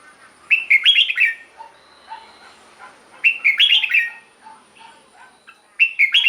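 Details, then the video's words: Captive red-whiskered bulbul song, played to make caged birds lively: bright, bubbling phrases of slurred whistles returning roughly every two and a half seconds, with soft low chirps between them. "เสียงนกกรงหัวจุก สำหรับต่อ หรือ เปิดให้นกคึก เสียงเพราะๆ"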